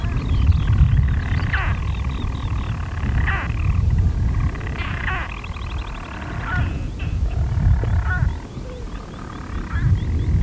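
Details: Hidden European storm petrels in nest burrows, Skokholm, Pembrokeshire, Wales, daytime on 5 June 2013: rolling low churr with repeated sharp hiccup breaks every one to two seconds, and high twittering of other birds in the background.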